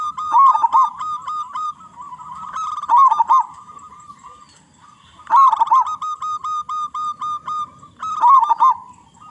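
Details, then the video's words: A big-voiced local zebra dove (perkutut lokal), used to prompt other zebra doves to sing, gives bubbling coo phrases joined by long trains of quick, even, pulsed notes between louder bursts. "Perkutut Lokal Gacor Suara Besar Suara Paling di Sukai Burung Perkutut apa saja"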